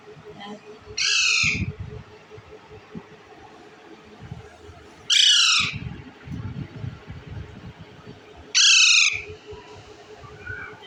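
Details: Indian ringneck parakeet, eating bread, gives three loud, harsh, raspy screeches roughly four seconds apart, each about half a second long, over quiet low rumbling background noise.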